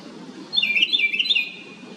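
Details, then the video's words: A tiny house wren bursting into a fast, rattling series of high, bubbly notes for about a second, then stopping, with quiet background noise. "A little bird(house wren) makes a LOUD noise. 작은 새가(굴뚝새) 큰 소리를 내네요."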